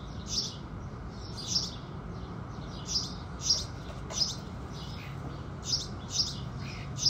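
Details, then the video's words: House sparrows chirping as the sun rises: around nine single bright notes scattered over seven seconds, each brief and sharp, with steady low background noise throughout. "Sparrows Singing"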